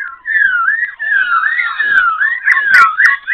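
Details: Loud, clear whistling from a caged Black-throated laughingthrush in Ho Chi Minh City, dancing with tail and wings while varying its voice; a continuous wavering whistle glides up and down with quick inflections, plus a few sharp clicks.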